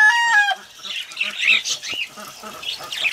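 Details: Cockatiels bathing in the rain: a loud, harmonic, whistled call lasting about half a second opens, followed by a busy stream of short, scratchy chirps and chatter from several birds.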